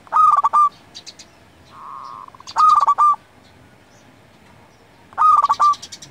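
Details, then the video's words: Vigorous local zebra dove song for luring and tutoring: three loud rolling phrases of quick clipped coo notes about two and a half seconds apart, with a low steady hum between the first two. "Perkutut lokal gacor Paling Manjur Untuk Pikat & Masteran Hitungan Detik Langsung Nyaut"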